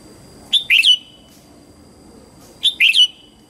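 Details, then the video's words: A red-whiskered bulbul's morning song, meant for training juvenile white-cheeked birds: two identical short phrases about two seconds apart, each a clear whistle followed by a buzzy, downslurred warble. "Luyện giọng chào mào hót sáng hay nhất để luyện má trắng"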